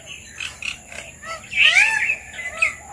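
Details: Red-vented bulbuls feeding on papaya give scattered chirps, then a louder, brighter burst of squeaky notes halfway through, against a constant thin background hum.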